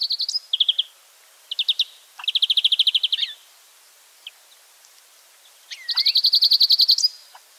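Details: Wild European greenfinch singing short trilled bursts building into fast even rattles, with a curving whistled note before a long final trill.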